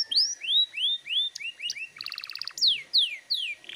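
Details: Canary in 'gacor ngotot' song, a lure for untrained canaries: rising and falling whistled slurs at an even pace, a quick pulsed rattle in the middle, then long descending sweeps.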